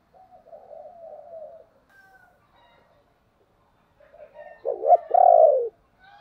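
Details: Spotted dove used as a lure to draw wild doves into cooing: soft, low, wavering coos at first, a pause, then a strong throaty phrase of short notes leading into a long loud coo.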